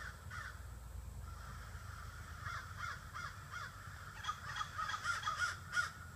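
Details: A flock of some 30 to 40 crows gathering in trees at evening, cawing harshly and repeatedly, the caws thickening into a dense overlapping chorus in the second half, with low background rumble.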